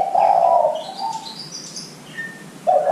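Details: Spotted dove coo used as a lure for young doves: one deep, rough coo with a trailing softer note, brief high twittering from small birds, then the next coo starting.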